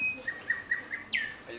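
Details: An Antioquia wren at San Jerónimo, Colombia, sings in territorial response to playback: four short, clear whistled notes at an even quick pace, then a louder slurred whistle dropping in pitch, over a faint steady high hiss.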